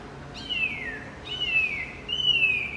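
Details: Javan white-eye used to stir a quiet male into song: three clear, high whistles, each slurring downward, spaced about a second apart.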